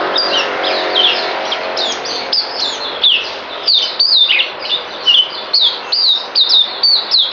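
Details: Songbird kept by a breeder, filmed 9 December 2018; a muddled start with a low hum, then increasingly clear, quick whistled notes that bend and fall, repeated in a lively run.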